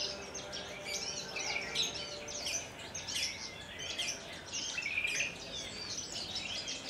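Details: Javan bush lark of Kulon Progo origin, a collection bird singing Jambul style. Quiet but steady song of looping, slurred, high chirps and short warbles repeated in quick succession.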